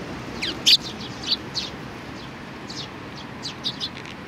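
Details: Chirping sparrows with young birds, recorded 27 June 2019: quick high twittering notes, one loud sharp chirp early, then softer chirps spread in short bursts over faint background hiss.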